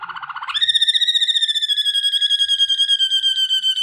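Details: Waterslager canary singing for training, a low gurgling trill that jumps into a long, pure, steady whistled tone with rapid fine tremolo, sustained for over three seconds.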